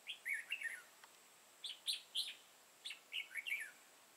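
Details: Red-whiskered bulbul with a lân-type crest and dark bib, recorded during bulbul trapping on 31 March 2018. It gives three bursts of short, bright, warbling whistled phrases, each sliding up and down, separated by brief pauses, over a faint steady hiss.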